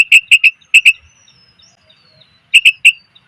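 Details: Female sooty-headed bulbul calling for males as a lure sound: crisp, clipped chirps in quick groups of three and two, separated by a pause with faint thin whistling in the background.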